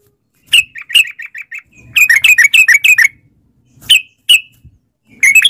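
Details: Lure recording of a gacor yellow-vented bulbul (trucukan) for setting off caged birds: scattered sharp chirps, a quick burst of rapid chattering notes near the middle, then isolated notes and a final chatter.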